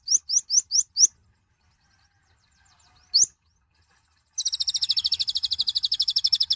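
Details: Loud little nectar-feeding konin: five quick upswept high chirps, a single chirp after silence, then a long, fast, even high trill with a buzzy edge.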